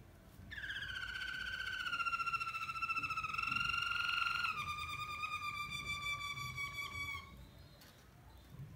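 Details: Malinois canary singing loudly: a long, smooth, whistled phrase held steady on one pitch, softly pulsing, dropping slightly halfway through, lasting about seven seconds over faint background hum.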